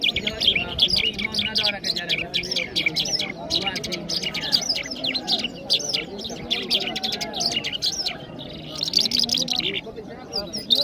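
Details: Iranian Mashhadi jal birds singing in Kabul, Afghanistan: busy, high chirping and twittering notes from several small birds run almost without pause, with soft low cooing and murmuring underneath.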